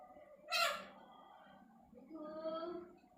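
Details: Parrot giving one sharp, loud, broadband squawk followed by a softer, drawn-out harmonic vocal phrase that wavers in pitch.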